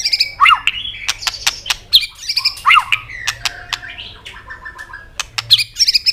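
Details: A white-rumped shama sings intensely to stimulate subdued birds. A busy mix of bright swooping whistles and chattery notes is broken by many sharp clicks, with faint soft background noise.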